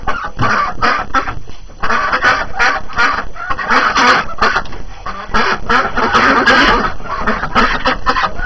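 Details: Ducks eager to start the day on a snowy January morning after being shut in, keeping up a continuous noisy chorus of rough, overlapping quacks throughout.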